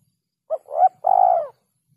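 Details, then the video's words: Spotted dove lure call for bird catching: a single clean phrase of a short note, a rising coo and a long, rolling purred coo that fades, in a quiet setting. "SUARA PIKAT BURUNG TEKUKUR"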